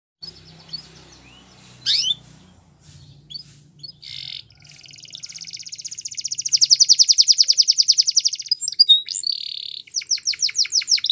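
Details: Belgian canary singing in a recording for canary training: soft scattered notes over a low hum, then a long, loud, fast rolling trill, a brief whistled note and quick downward-sweeping chips at the end.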